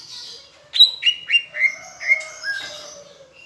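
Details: Tutor recording of a greater green leafbird from Palembang singing with Asian brown flycatcher imitation: a run of clear downslurred whistles stepping lower in pitch, followed by jumbled higher twitters.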